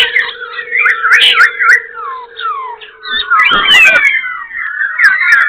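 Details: Caged black-throated laughingthrush at Tân Túc, Bình Chánh, Ho Chi Minh City, singing while fanning tail and wings and switching voices: loud, rapid, varied whistled phrases, slurred up and down, with a steady low tone underneath and occasional clicks.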